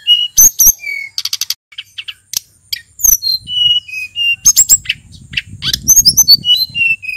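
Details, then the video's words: Lively song of a male sulingan from Mount Merapi, used to lure other birds: crisp clicks, rapid buzzy trills and a string of pure level whistles, with a soft low rumble in the second half. "Burung sulingan gunung merapi nyiul GACOR ,suara pancingan SRDC & tledekan BAKAU agar cepat NGEPLONG"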